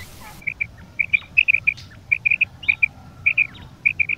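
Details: Female and male quail calling together in a mixed recording, used for quail hunting: short bright notes around the same pitch, given in quick pairs and triplets, with a brief burst of noise at the start.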